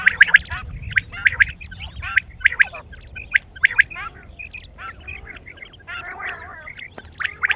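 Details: Quail calling at morning, with clusters of clipped, scratchy chirps at about fifty bursts a minute, then softer, grating chatter toward the end.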